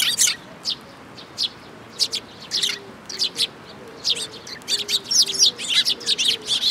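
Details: Sparrows gathering at a feeding spot on a bridge railing at a shrine, 9 June 2022: scattered sharp chirps in irregular bursts, busier toward the end, over a steady low hum and short repeated mid-pitched tones.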